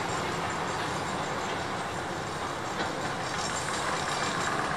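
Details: Continuous rumble and rattle of a passing train fills the scene, steady broadband noise with no animal voices.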